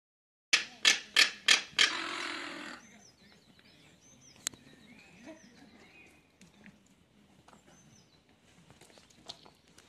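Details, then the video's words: Captive crested caracara (Caracara cheriway) greeting while following a visitor at a birds-of-prey centre in Helmsley, 29 April 2017: five harsh, grating notes in quick succession, then a longer rasping rattle, faint distant chirps after. "Il saluto del Caracara Crestato"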